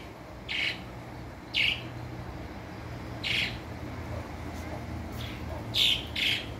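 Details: Swallows at Coveñas in the department of Sucre, giving short, sharp chirps spaced irregularly, about six notes over several seconds with a pair near the end, against a low steady background hum.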